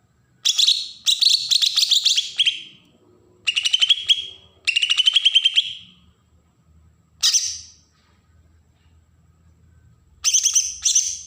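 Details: Agitated besetan song of a green leafbird from Berau, Kalimantan, meant to provoke untrained birds: repeated harsh, rapid chattering bursts of one to two seconds separated by brief pauses, some stepping down in pitch, with faint low rumble behind.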